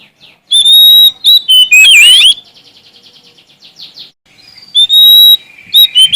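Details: Singing Oriental magpie-robin from Sumatra challenging for an opponent: bright sustained whistles and a rough twisting phrase, then a fast soft series of about a dozen ticking notes before loud whistling resumes.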